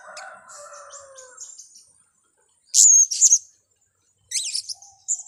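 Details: Blue-crowned hanging parrot trapping lure: soft murmuring lower notes fade out, a short silence, then two loud shrill high squeaks and a later burst of thin rising chirps.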